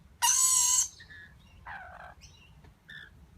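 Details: A lorikeet chick being fed by its parents gives one loud, harsh, rasping screech, then several softer buzzy, wheezy notes in quick succession.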